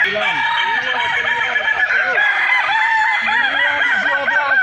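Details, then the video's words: Ayam kukuak balenggek roosters crowing at a festival in Kota Solok, several birds at once, their crows broken into many short up-and-down arched notes strung together without pause, steady and loud across the whole stretch. "festival ayam kukuak balenggek"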